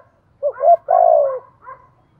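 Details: Spotted dove, the cu đất, in hạp bổi voice with calling, urging and cooing phrases: a quick double coo, then one long, deep, slightly falling coo and a soft closing note.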